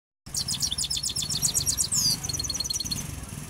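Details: Himalayan goldfinch singing, recorded in Quetta: rapid high twittering trills and buzzy notes repeated several times a second, a bright slurred whistle near the middle, then a run of thin chips, over a low steady hum.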